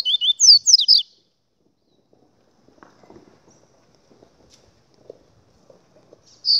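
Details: Double-collared seedeater delivers a one-second flurry of high, sliding whistles, then near silence with faint tapping before a last note begins.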